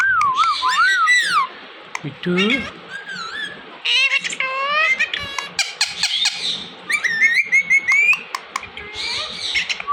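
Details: Indian ringneck parrot mimicking speech produces wavering, voice-like squeals and gliding whistles in quick bursts, separated by pauses, with a person repeating a short word in the background.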